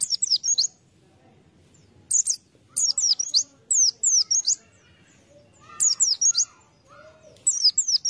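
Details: A white-eye used as lure material sings in quick, high, sweet twittering bursts, each under half a second, with a few faint lower whistled notes in the background.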